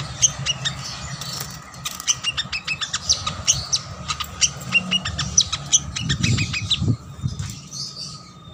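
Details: Plain-throated sunbird song played as a lure to get sluggish caged birds singing: rapid bursts of sharp, high chips and short twittered notes, with a steady faint tone underneath and low rumbling background noise.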